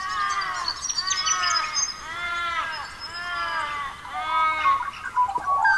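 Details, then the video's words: Australian magpies in an Australian forest dawn chorus, giving loud harmonic arched notes repeated about once a second, each bending up then down, with thin high chirps of other birds behind. "Australian forest bird songs with Magpies"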